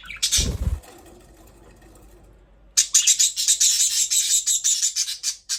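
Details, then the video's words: Budgies chirping: one sharp harsh call, a pause, then a fast rush of high, buzzy chattering notes, roughly three per second. "Budgies parrot chirping sound"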